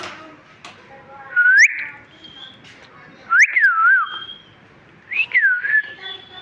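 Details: Talking parrot in a home whistles three times: a rising slur, then a rise-fall-rise phrase, then a quick looping whistle, each about two seconds apart.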